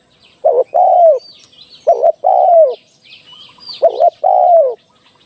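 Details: Large dove calling as a trapping decoy: a short double note followed by a longer, drawn-out coo that slides downward, repeated three times about every two seconds, with faint high chirps of other birds behind.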